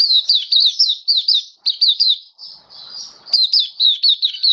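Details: Buka sing singing from a caged Oriental white-eye (mata puteh), 27 October 2022: lively high chirps sliding downward in rapid series, a short softer passage, then the loud chirping resumes.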